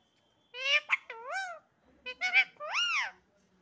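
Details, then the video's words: Indoor parrot said to be speaking the word "Sitaram": two bursts of nasal, speech-like syllables, each ending in a drawn-out rising and falling tone, with a brief pause between them. "parrot 🦜🦜 talking Sitaram"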